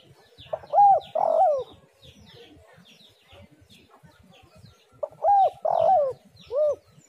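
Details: A spotted dove calling to draw in other doves gives two coo phrases about four seconds apart. Each is an arched note and a long coarse coo, and the second ends with an extra rounded coo. Small birds chirp faintly high above.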